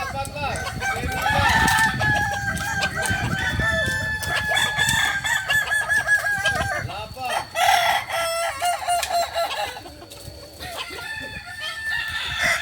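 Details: Balenggek crowing chickens training at Ampang Kualo, Solok: overlapping roosters give long crows that break into stepped, wavering segments, with pauses and bursts of clatter and low background noise.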